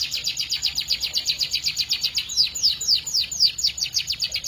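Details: Canary delivering a long, varied song: a rapid rolling trill of high, evenly pulsed notes, interrupted midway by a few clear falling whistles before the fast trill resumes.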